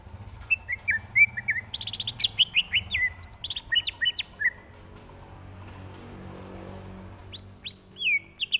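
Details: Greater green leafbird singing a training tutor song: a busy stream of chirps and whistled slurs, then a pause of soft background noise, then a few loud downward-sweeping whistles.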